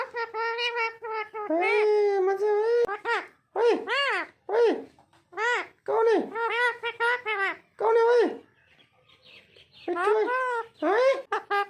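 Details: A female rose-ringed parakeet talks in a high, nasal, speech-like voice, giving quick bursts of mimicked syllables with brief pauses between phrases, among people and music.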